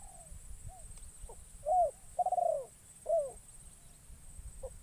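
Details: Trained decoy spotted dove in a forest, calling to lure wild birds: one full phrase of three low notes, an arched coo, a long rolling trembling coo, and a falling coo, with faint hiss and distant soft notes.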